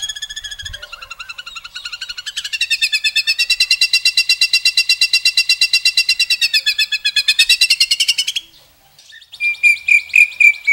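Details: Murai batu, the white-rumped shama of Indonesia, in its long 'tembakan' shooting song: a sustained rapid buzzy rattle of even pulses lasting about six seconds, followed by a short pause and a few sharp whistled notes.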